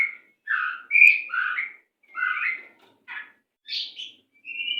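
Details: White-rumped shama song used to train captive birds: a series of short, rich warbled phrases with falling and rising whistles, a buzzy note, and a final clear rising whistle.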